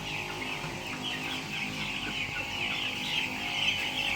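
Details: Many day-9 broiler chicks on a poultry farm peep together in a dense, high chorus of overlapping cheeps, about two calls a second, over a steady background hum.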